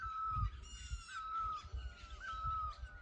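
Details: Mating call of a forest bird: steady pure whistles, each dipping slightly at the end, repeated roughly once a second over a busy background of other calling birds.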